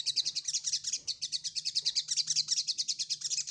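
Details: Ruby-cheeked sunbird (sogok ontong) seeking a rival, pouring out a continuous fast chatter of thin, high, clipped notes, about eight per second, steady throughout with a faint low hum behind.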